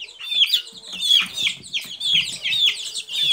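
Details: Clear, piercing peeps from Silkie chicks, each a short down-slurred whistle, repeated about every half second amid softer chirps from others.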